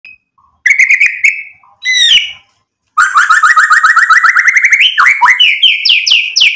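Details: Lively white-rumped shama song, used to provoke rival shamas into answering: loud whistled phrases, then a fast run of rapidly repeated chirping notes climbing in pitch, ending in bright upward-sweeping whistles.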